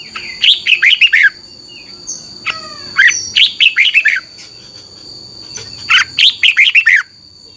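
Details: Training song of the Red-whiskered bulbul for caged birds, meant for 30 minutes each morning: three repeated phrases of six quick, bouncing, downslurred whistles, about 2.5 seconds apart, over a thin constant high whine.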